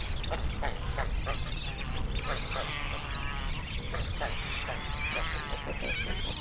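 Young pelicans squabble with harsh, rasping grunts and squawks in rapid overlapping bursts, over a steady low rumble of background noise.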